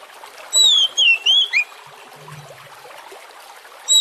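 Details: Lure song of an Oriental magpie-robin for drawing other magpie-robins into song; a short phrase of four bright whistled notes sliding down then up, a pause with a faint low sound, then another loud whistle over background hiss.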